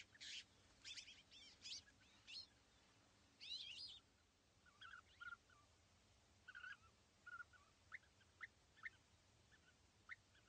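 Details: Sunny morning at East Leake Quarry, 5 July 2017: a perched pair of European bee-eaters in small trees about 80 metres distant utter a run of rough, trilled calls, then sparser short chirps as the clip goes on.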